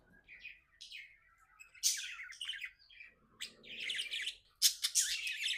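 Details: Pet budgerigar described as happy, giving soft twittering notes that build into dense, scratchy warbling with sharp clicks and chirps in the second half.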